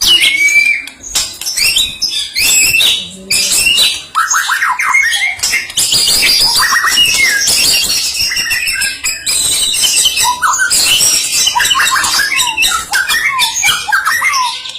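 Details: White-rumped shama of the Medan type, singing vigorously and loudly with a full repertoire of phrases and sharp bursts. Dense, fast, varied song of whistles, trills and chattering notes runs almost without pause through the clip.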